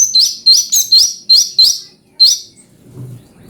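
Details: Orange-bellied leafbird (cucak cungkok), a song variation used as a master for training magpie-robins: six quick, bright, upslurred chirps repeated about twice per second, then a pause and one last chirp, with faint background rumble.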